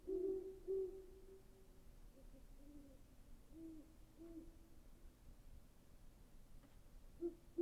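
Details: Low hooting of a great horned owl, strongest in the first second, with fainter muffled hoots spread through the middle and a sharp sound at the very end.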